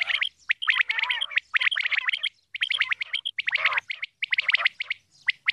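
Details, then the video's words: A female common quail gives scratchy chattering phrases broken by short pauses, with some clearer chirping notes mixed in among the grating bursts. "Female Quail Calling Dhoghla Batair ki Awaz"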